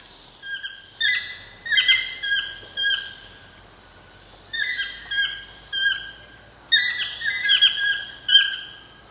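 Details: Toucan calling at sunset in the wild in Costa Rica: bursts of harsh, harmonic yelping notes, several in quick succession, repeated in groups separated by short pauses, over a steady high insect drone.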